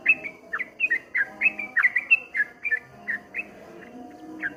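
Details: Streak-eared bulbul song, 'ropel ngombak banyu' type: quick sweeping whistles rising and falling like ripples, thinning out toward the end, over a low background hum.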